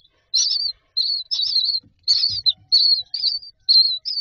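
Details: Myna chicks in their nest box calling for food: short scratchy notes with whistled endings, repeated in a steady series, plus faint soft taps.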